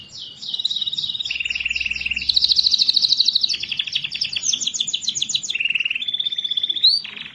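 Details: Lively canary singing used to prompt lazy canaries to start: loud, continuous trills changing pitch every second or so, rapid chattering rolls and a high buzzy passage, finishing with a sharp rising whistle.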